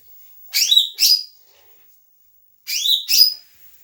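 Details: Leafbird in full, vigorous song, its repertoire said to include material learned from Doraemon: two pairs of sharp, high chirped double notes, each note sweeping down then up, separated by about a second and a half of silence.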